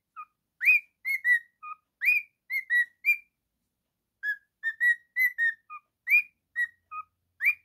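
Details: A male cockatiel kept as a pet sings with varied whistles, some swooping upward and others falling, in two bursts separated by a second-long pause. The notes are bright and clear, with no other sounds.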